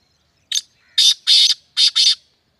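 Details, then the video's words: Kala teeter, the black francolin, recorded in Sindh, Pakistan, giving its strident call: one clipped note followed by two paired bursts of coarse, scratchy sound, all within about two seconds. "Kala Teeter sindh Pakistan"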